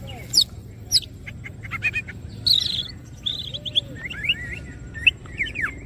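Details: Greater green leafbird singing vigorously with wings open: sharp high ticks followed by twittering, a harsh burst, then wavering whistles and quick slurred chirps, with low background noise throughout.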